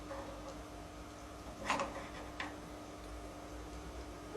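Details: Quiet indoor room tone with a steady low hum, a couple of soft knocks and a louder bump at the very end, with no animal calls.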